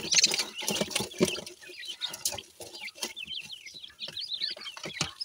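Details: Grey francolin chicks at feeding; a brief loud rustle opens, then a steady run of high, wavering peeps repeated about once a second or faster, over soft clicking.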